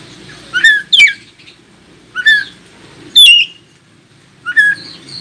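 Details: Oriental magpie-robin singing to prompt other magpie-robins to reply: four separate loud whistled phrases, each sweeping downward from high to lower pitch, spaced a second or more apart over quiet low background noise.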